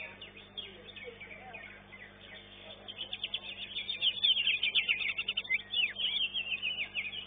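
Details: At a singing contest, a greater green leafbird starts softly, then builds into rapid loud chattering and rising whistled phrases, with other birds faint behind.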